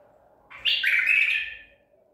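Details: A caught Baghdadi-type White-eared bulbul nicknamed "the devil", from Medical City, 14 April 2021, gives one bright, bubbling burst of song about a second long, rich and slightly harsh in the upper-middle pitch, over a faint steady hum.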